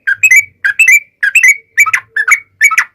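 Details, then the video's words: Yellow-vented bulbul in lively lure song to make other bulbuls respond: short groups of two or three liquid whistled notes ending in an upward slur, each group separated by brief gaps, with a faint low hum. "SUARA trucukan gacor ROPEL PANJANG pancingan trucukan agar bunyi JADIKAN burung trucuk gacor NYAUT"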